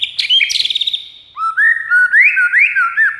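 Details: White-rumped shama song used to lure rival birds: a burst of rapid harsh chattering notes, then a run of clear whistled phrases, each rising and falling, repeated steadily.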